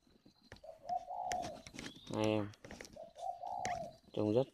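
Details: Captive spotted dove at a breeder's garden in Ba Vì district, Hanoi, Vietnam, uttering two low mellow coo phrases a couple of seconds apart, with a man talking in Vietnamese between and after them.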